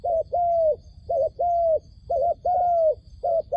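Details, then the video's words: Wild dove calling near a trap, used to lure doves for trapping: clear mid-pitched coos in a repeated short-long pattern, a brief note followed by a longer, slightly falling one, with a faint steady high hum behind. "ឱ្យតែជួបលលកព្រៃ ធ្នាក់ហៅបរសឹងដាច់ខ្យល់"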